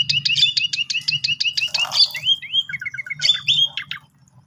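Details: Singing Asian pied starling, played to coax a sulking starling into song. Fast repeated chirps give way to slurred whistles, a short trill of lower notes and sharp squeaks before it fades, with faint humming beneath.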